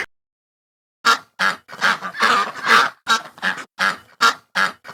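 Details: Duck quacking: after a second of silence, loud, harsh, nasal quacks come in quick bursts, some doubled, about two to three per second, with no other sounds.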